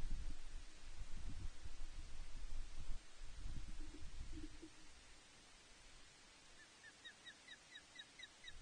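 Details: Osprey on its nest at Loch Arkaig on 5 July 2021, with the female calling loudly, recorded from a live nest camera. After low wind rumble, a quick series of short, rising, whistled chirps repeats about three times per second.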